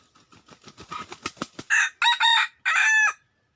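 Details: Red junglefowl crowing, a loud harsh multi-part crow after a run of quick clucking notes that speed up and grow louder over about a second and a half.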